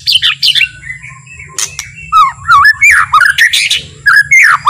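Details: White-rumped shama (murai batu) in slow, relaxed song used to provoke rival shamas into singing: varied whistled and warbled phrases mixed with sharp clicks and harsh squawky notes, over a constant low background hum.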